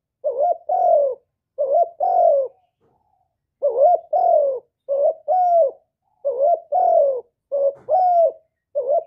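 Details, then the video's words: Spotted dove, a kept bird recorded up close without background noise, cooing in the 'thổ thúc' and calling styles: husky, wavering two- and three-note coos in quick groups, with short pauses between the phrases. "tiếng cu gáy giọng thổ thúc và gáy gọi"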